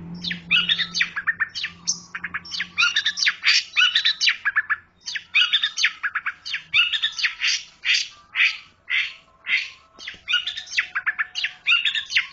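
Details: Long-tailed shrike delivering a long, varied chatter of scratchy, buzzy notes and short squeaky phrases in dense bursts with brief pauses; faint low hum early on.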